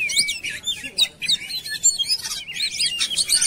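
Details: Oriental magpie-robin song in a compilation used as a lure to get birds singing: a rapid, dense run of high whistled and chattering notes with sliding pitch, phrases crowding one another with barely a pause.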